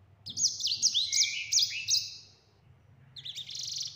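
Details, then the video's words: Clear song of a yellow-fronted canary, locally sanger or mozambik: a fast series of high upward-flicking notes over a sustained buzzy tone, a brief lull, then a dense rattling trill; soft low hum in the background. "Sanger Gacor Ngeroll Suara Jernih"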